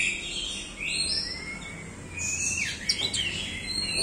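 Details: An Orange-headed thrush sings in the 'doyong teler' swaying style, slurring long upward whistles into high squeaky notes and a fast descending flourish, over faint background hiss.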